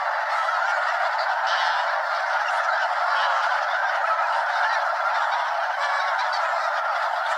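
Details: Circling flock of well over 200 Snow Geese at Limestone Bay, Wheeler National Wildlife Refuge, North Alabama, calling in flight; a steady, dense babble of honks, with a few higher cries standing out.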